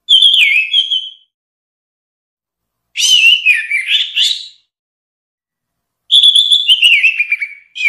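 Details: Orange-headed thrush sings loud, clear whistled phrases mixed with scratchy warbles and descending slurs, repeated in bursts about every three seconds; no other sounds.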